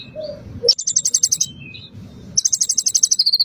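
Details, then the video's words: Bar-winged prinia song used to prompt a bird into singing: a few scattered notes, then two fast, rattling trills of high, bright chirps, the second ending in a thinner, slightly lower run. Faint low murmuring lies beneath. "Pancingan Konin agar langsung gacor"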